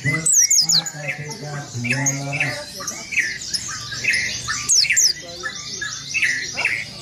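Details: High, quickly falling whistles from an oriental white-eye's rolling song, said to provoke rival birds, come in brief bursts over a dense chorus of lower chirps and a low hum.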